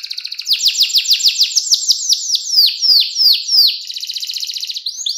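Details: Canary with a clear cengkok mewah song, used as a master for young canaries: a fast trill leads into a run of loud down-slurred whistles, roughly three per second, then a rapid high rattle and rising notes.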